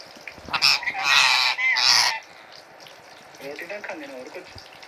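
Indian ringneck parakeet giving two loud, harsh, honking squawks over about a second and a half, followed by softer, speech-like chattering syllables.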